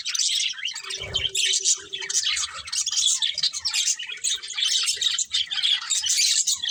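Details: Colourful budgerigars chattering at their food, continuous high chirps and squawks overlapping, with a short low buzzing hum near one second.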